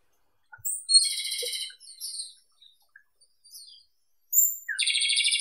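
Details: Japanese robin (Erithacus akahige) singing: thin sharp whistles leading into a fast, buzzy, very high rattling trill, a softer pause with scattered faint notes, then another bright high trill phrase.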